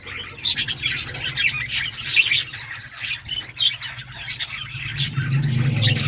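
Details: Lovebirds of various mutations in a busy chorus of short, shrill, scratchy squawks and chirps, irregular and overlapping, with a low rumbling hum growing toward the end.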